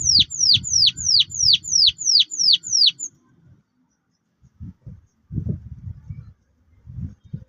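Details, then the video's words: Canary of the orange Loper type singing a fast roll: about nine clear descending whistled sweeps in three seconds, then low thumping and rustling noises with pauses. "Kenari Loper Roll Tembak Jernih"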